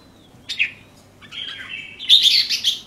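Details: Caged red-whiskered bulbul singing: a brief whistled note near the start, then a sustained, slightly wavering whistle that swells into a bright, burry flourish of rich warbled notes. No other sounds stand out.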